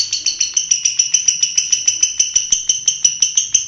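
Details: Champion competition long-tailed shrike giving a steady series of sharp, evenly spaced metallic notes, roughly four per second, each a bright high tone with a clicking onset.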